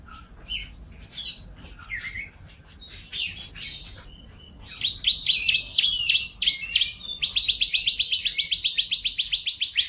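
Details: Canary song starting with scattered varied chirps and slurred whistles, building into buzzy phrases and ending in a loud, very fast even trill of high notes.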